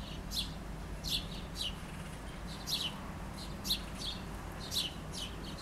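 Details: Chickadee recorded through an open back window while it picks up food before flying off; high buzzy notes come in short pairs and clusters roughly every second, over a steady low hum.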